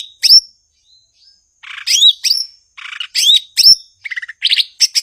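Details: Energetic song of a cucak ijo, the blue-winged leafbird, a mimic popular in Indonesia: whistled slurs dropping in pitch, dense buzzy chatter, a low pulsed rattle and crisp chirps packed closely together.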